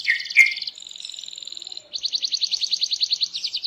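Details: Canary in full 'gacor' song to encourage other birds to join in. It opens with a few sharp chirps, moves into a thin steady trill, and then a fast rhythmic series of repeated rising notes.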